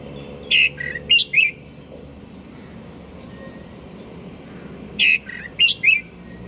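A red-whiskered bulbul sings two short, bright phrases of three or four liquid whistled notes, about four seconds apart, over a faint low background hum.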